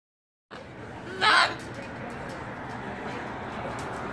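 A cockatoo gives one harsh, raspy screech lasting about a third of a second, over a steady background hiss.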